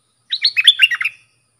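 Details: Tutoring song of a bulbul known locally as dok taeng, used to train fledglings and hand-fed chicks: a single brisk, rolling phrase of several liquid chirps, with nothing else audible.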